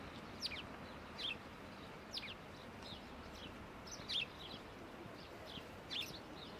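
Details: House sparrow in Prule, Ljubljana, on 2 February 2024, giving short, bright chirps in scattered bursts about every one to two seconds, over steady low city rumble.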